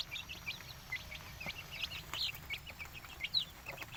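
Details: Village chickens in Indonesia making scattered short high chirps and peeps, a few sharper notes standing out, with faint low background hum.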